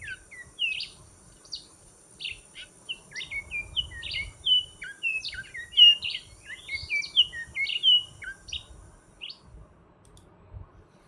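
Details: One of a pair of Altamira orioles visiting in the Rio Grande Valley of South Texas gives a busy stream of short, bright chirps and slurred, mostly falling notes in quick clusters, over a faint low rumble.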